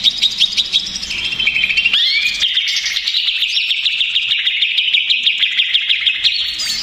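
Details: Stressed greater green leafbird song meant to provoke other leafbirds: varied high whistles, a rising swoop near two seconds, then a long, fast, steady trill of repeated sharp notes, about three per second.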